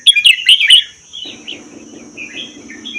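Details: Red-whiskered bulbul from the wild Vietnam–Laos region, caged for a year, in doubled 'berl' song; a loud bubbling warbled burst, then soft scattered notes over a low murmur and a steady high whine.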